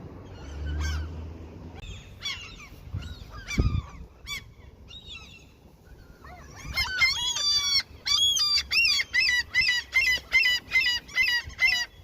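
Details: Seagulls being fed near a fishing spot: sparse squawks and a loud knock at first, then a run of rhythmic, rapidly repeated laughing yelps, about two per second, ringing clearly.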